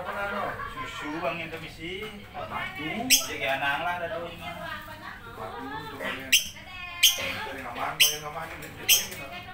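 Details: Lovebird chattering in rippling, wavering notes, then breaking into several sharp shrill squawks toward the end.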